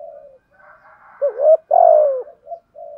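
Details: Spotted dove decoy in 'thúc gù' cooing, 'giọng thổ' voice: quiet murmuring coos, then a rising coo and a long, loud, downward-sliding coo, ending with soft short notes.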